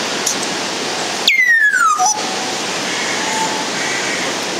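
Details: Congo African grey parrot at Warsaw Zoo, subspecies Psittacus erithacus erithacus, utters one bright whistle sliding steadily downward and ending in a low flat tone, set in continuous hissing background noise.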